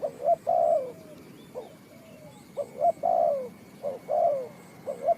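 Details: Spotted dove in a bird-trapping context, Ninh Thuận: low, soft cooing phrases, paired short notes leading into a longer gliding coo, repeated several times with brief silences.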